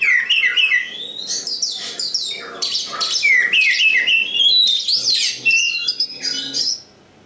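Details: Local East Java Oriental magpie-robin singing nonstop: a dense mix of rising and falling whistles, trills and sharp chips, loud and varied, ending suddenly in quiet.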